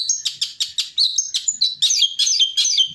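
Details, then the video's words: High, energetic tembakan song from a long-tailed shrike, recorded as training material for other birds: a string of sharp chirps about every quarter second, then flowing whistled slides and warbled phrases. "MASTERAN TEMBAKAN CENDET AUTO NGACOR"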